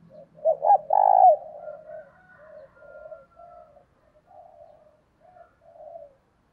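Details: Spotted dove kept as a decoy, cooing to draw in wild doves. A quick pair of short notes leads into a long, loud, mellow coo, followed by a trailing series of quieter, evenly pitched coos.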